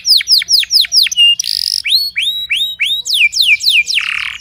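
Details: Timbrado canary in song training in the early morning: rapid series of falling whistled notes repeated about four times a second, a buzzy trill, then rising sweeps and a harsh rolled burst at the end.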